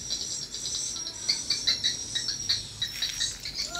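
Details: Sharp, very high chirps in a quick irregular series, swiftlets answering a lure sound at a mini swiftlet house, over a faint background hum.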